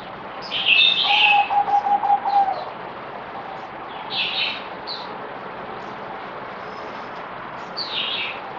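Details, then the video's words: Merbok zebra dove, fourth day of deworming treatment, 17 April 2020: one bubbling, rapidly pulsed coo phrase of roughly 1.5 seconds, overlapped at its start by a loud high chirp, with further bird chirps later. "Merbok Zebra Dove"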